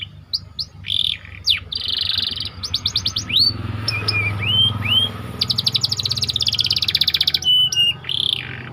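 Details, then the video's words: White canary singing a tight rolling song used as training bait for other canaries: fast repeated high trills, sweeping whistled notes and dense buzzy rolls in quick succession, with a faint low hum beneath. "Burung Kenari Ngerol Rapat 🔻 Cocok Untuk Masteran"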